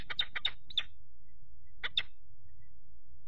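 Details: Peregrine falcons at a nest box on 4 April 2008: a third falcon repeatedly attacks the resident male perched on the grating while the female keeps incubating. Harsh, grating cack notes come in a burst of five, then a pair, over a low rumble.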